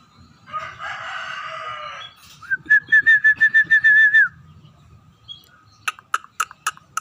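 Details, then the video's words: Scaly-breasted munia warming into song: a buzzy, grating section, then a rapid string of about eight loud whistled notes, and finally several sharp clicks. "burung emprit [peking] mulai gacor"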